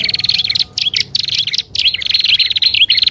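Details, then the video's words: Prinias in a lure recording, prenjak alang-alang with high and low prenjak: rapid buzzy wavering trills in short bursts, dense and loud, with a faint steady hum beneath. "SUARA PIKAT BURUNG PRENJAK ALANG ALANG+PRENJAK ATAS DAN BAWAH"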